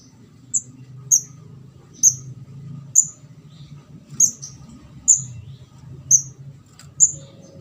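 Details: Orange-headed thrush fledgling, called ndas abang locally, recorded as a trapping lure: a steady series of short, high, thin squeaks roughly once a second over a continuous low rumbling hum.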